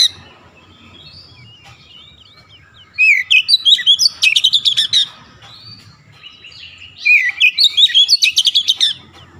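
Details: Kacer (Oriental magpie-robin) pouring out gacor ngotot song, bongkar isian: two bursts of varied twisting whistles, each ending in a quick train of sharp, clicky high notes, separated by a few seconds of near quiet.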